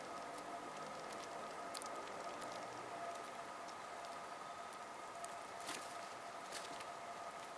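Steady rain patters on a surface over a constant mechanical hum, with scattered sharp drips and clicks.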